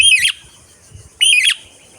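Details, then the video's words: Parrot (parakeet) gives two harsh, rasping screeches, each about a third of a second long, roughly a second apart, with only faint background rumble between them. "Parrot Sounds , voice টিয়াপাখির ডাক"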